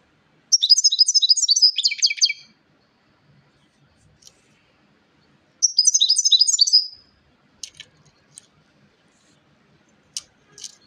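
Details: A European goldfinch delivers two quick phrases of high, tinkling, jangling twitters several seconds apart, followed by scattered soft clicks and faint ticking sounds.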